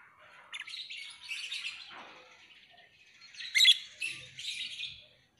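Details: Lovebird with two bursts of high, scratchy twittering and a loud piercing chirp in the second burst.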